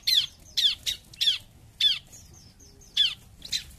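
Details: Bar-winged prinia, 'gacor jump shoot' performance: a string of loud, harsh, down-slurred chips, roughly two or three per second, with faint thin whistles in the gaps.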